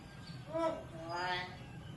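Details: Common hill myna mimicking human speech in English and Visayan: two short, voice-like phrases with rich harmonic tones, the second rising and brighter, heard indoors against low background hum.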